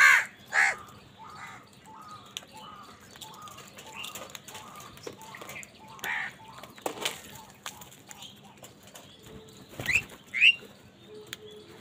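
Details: Crows calling angrily while fighting over food: harsh, cawing calls, loud bursts at the start and again near the end, with many fainter overlapping caws from several birds in between and brief rustling noises.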